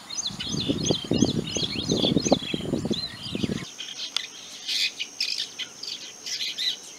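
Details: A long-tailed shrike (Lanius schach) gives quick, high twittering chirps and scratchy notes; a low rumbling noise covers the first half, then the calls continue more clearly.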